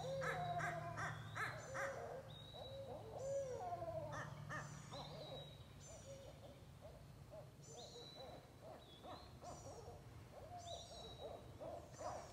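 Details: Barred Owl, apparently responding to owl calls played from a Bluetooth speaker, gives a run of wavering, sliding hoots and cackling notes over high whistled bird calls and a low steady hum.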